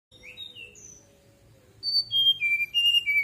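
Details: Fulvous-chested jungle flycatcher singing at night, used as a lure to prompt caged birds to answer: soft high notes at first, then loud clear whistled phrases stepping downward, about three notes per second, over a low steady hum.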